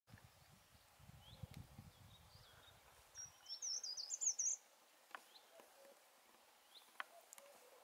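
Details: A Dartford warbler in broom scrub undergrowth gives one quick, scratchy, high-pitched warbling phrase of about a second and a half, with faint chirps from other birds and a low rumble early on.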